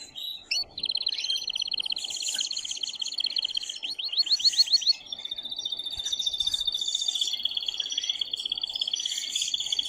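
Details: Excited male canary singing to stimulate the female to mate, delivering long rapid trills around a steady high pitch, a burst of fast rising sweeps midway, then a sustained buzzy rolling trill.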